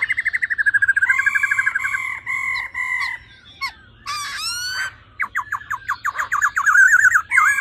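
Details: Female laughingthrush calling 'ro ro' to excite males quickly into full fire. A fast pulsing rattle opens, a drawn-out nasal churr follows, then a sharp squeal, and finally a series of quick clipped notes and chatter.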